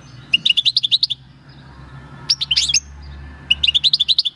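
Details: Wild-caught European goldfinch, captured at El Paso in 2018, recorded 22 March 2020 singing its natural field song: three bursts of quick, bright, high tinkling notes, about four per second, separated by short pauses.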